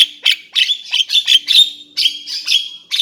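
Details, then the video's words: Javan myna uttering a quick series of harsh, scratchy notes with a thin steady whistle running beneath, about three per second, loud and close. "Kicau jalak kebo"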